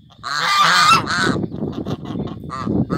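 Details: On a Brazilian rural property, a pair of African watch geese kept for security: one long blaring honk, then a second, followed by a jumble of lower gabbling and short honks from the birds.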